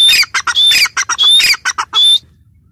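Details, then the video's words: Female grey francolin (teetar) calling: loud, harsh squawking notes in quick bursts, each with a clear whistled tone, repeated rapidly for about two seconds before stopping. "gray francolin teetar sound | female teetar sound"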